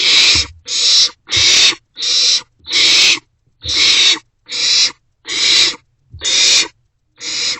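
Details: Several barn owlets in an owl box after 1:47 am on 27 March 2024, passing a vole back and forth during an unusual shared meal; rasping, hissing screeches about half a second long, repeated steadily with short gaps.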